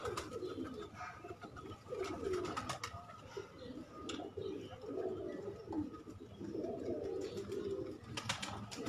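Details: ,Kept pigeons cooing together in a loft. Overlapping low, rolling coos run throughout, with sharp clicks and wing-flap bursts scattered between them.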